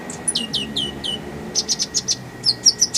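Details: Kolibri ninja (purple-throated sunbird) singing a varied, clear-voiced song with rapid bursts. It gives a series of high downward-sliding whistled notes, then evenly spaced bright chips, then sharp piercing ticks about every fifth of a second.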